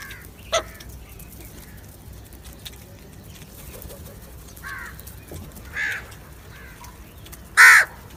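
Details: A crow calls with three harsh caws spread over several seconds, the last one loudest and most drawn out. Faint background hiss sits between the calls.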